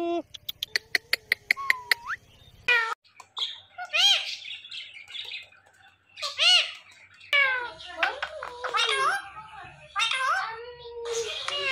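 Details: Indian ringneck parakeet, a green parrot, talking. Rapid clicks give way to harsh, speech-like harmonic squawks and bursts with rising and falling inflections, separated by short pauses.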